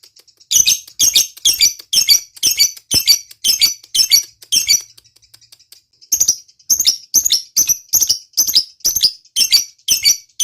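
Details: A lovebird gives its 'ngekek', a long chattering song of shrill, rapid bursts repeated about twice a second.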